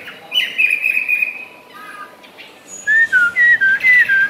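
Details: Tame Chinese hwamei in a cage, still singing while eating: a wavering sustained whistle, then a quick series of short, clear downslurred whistles repeated about four times a second.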